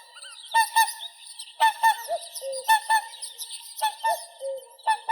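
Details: Whooper swans calling: clear, trumpet-like honks, often paired, repeated about once a second, some notes sliding downward, with fainter overlapping calls from other swans.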